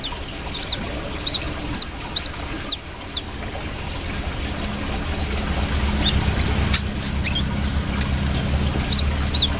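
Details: Brown-throated sunbird giving clear, high, down-slurred chip notes about every half second, then fainter chirps as a rushing, trickling background noise swells.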